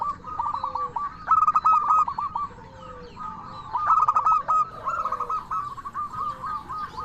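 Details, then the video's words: Lure song of a local zebra dove, 'crystal voice' style, meant to draw replies from other zebra doves. Rapid chains of short hooked coos alternate with brighter, ringing phrases. Softer answering notes sit lower in the background. "Perkutut Lokal Gacor SUARA KRISTAL Ahlinya Bikin Semua Burung Perkutut Langsung Nyaut"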